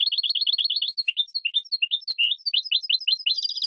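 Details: European goldfinch on a 2017 training recording for cage birds: varied twittering with quick paired chirps, thin high whistled notes, some lower slurred phrases, then a buzzy rattling close. Clean, with no other noise.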